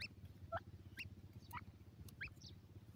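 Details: Grey francolin (dakhni teetar) chicks calling: thin, high peeps, several sliding upward, spaced roughly every half second over a steady low hum.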